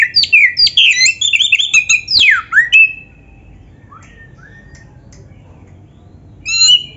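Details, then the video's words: Oriental magpie-robin, recorded to train captive birds to sing: a fast jumble of high chirps and buzzes, a deep swooping whistle, then soft scattered notes and a final short burst. "MASTERAN KACER FULL MATERI MEWAH"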